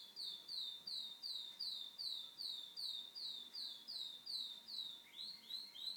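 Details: Home-kept canary in song, repeating a bright, descending whistled syllable about every half second, about ten times, then switching to a quicker rising phrase.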